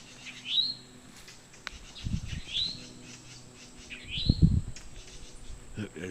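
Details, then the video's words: Towhee calling for a mate: three rising slurred whistles spaced about one and a half seconds apart, with low thumping and rustling noise between them. "Towhee mating call meeting and other birds join in"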